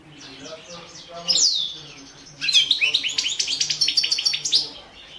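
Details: A European goldfinch (Carduelis carduelis balcanica) recorded for a 2017 goldfinch song championship sings high, liquid twitters and a slurred descending note, then a fast, tinkling run of bright, rapidly repeated notes, over a faint low hum.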